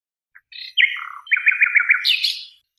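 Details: Song phrase of a nightingale on a birdsong tape: a short chip and buzzy notes leading into a rapid string of sharp repeated chirps, ending in higher squeaky notes; no other sounds.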